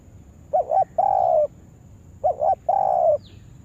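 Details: Spotted dove kept for luring wild birds utters two phrases, each a quick doubled coo followed by a long, even coo; a faint high chirp from another bird at the end.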